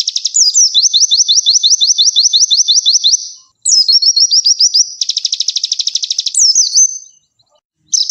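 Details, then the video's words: A Konin bird on a masteran (song-training) recording sings high, fast trilled phrases of rapidly repeated downslurred chips, broken by sharp upward whistles and short pauses, sustained and energetic throughout. "Masteran Konin Gacor Full Tembakan"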